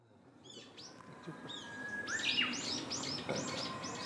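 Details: Black-faced bunting feeding intently in early April 2019, with a series of short arched chirps repeated several times a second. A faint steady hum runs underneath.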